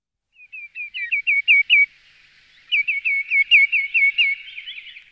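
Common greenshank giving two quick runs of ringing, slightly downslurred whistled notes, about eight in each burst, with a short pause between. The background is quiet.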